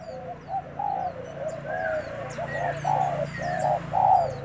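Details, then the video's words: Spotted dove used as a fighting decoy, newly brought in. Soft, then louder, low cooing notes run in short bursts that build toward the end. A brief higher tone slips in twice, and small birds chirp sharply in the background. "Cu gáy mồi trần vừa về đã đấu"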